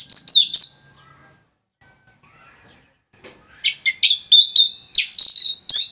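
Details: Orange-headed thrush (anis merah) giving dense, lively song meant for tutoring other songbirds: a quick burst of high, sweet warbled notes, a pause, then a rapid run of bright chirping phrases, slurred up and down, nearly continuous to the end.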